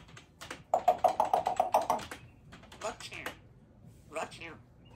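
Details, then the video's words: A female Congo African grey parrot, wearing a poncho against feather plucking, chats while her owner works: a quick burst of speech-like, mid-pitched syllables, then a few rasping squawks, with keyboard clicks in a small room at home. "the African Grey Parrot chats with dad while he works"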